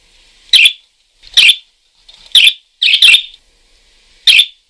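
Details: Parakeet in full voice with five harsh, raspy chirps spaced about a second apart, the fourth a longer double note, separated by silence.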